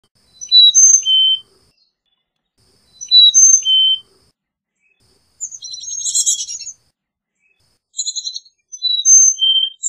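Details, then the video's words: Carolina chickadee singing clear whistled four-note phrases that alternate high and low and step downward, repeated about every two and a half seconds, with a dense buzzy burst of notes between phrases. "Carolina Chickadee Song! Carolina Chickadee Call!"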